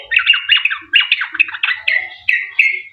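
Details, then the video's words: Sooty-headed bulbul singing harsh, squawky phrases as a lure for other bulbuls; rough descending notes followed by a few clearer, drawn-out whistles, with faint low thumps beneath. "Trucuk gacor ROPEL PANJANG buat pancingan trucukan agar bunyi"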